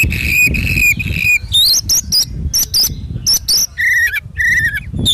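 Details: Oriental magpie-robin song meant for training and morning and evening therapy: loud, sustained buzzy whistles broken by sharp clipped high notes, then two lower rising-falling phrases, strong and rhythmic.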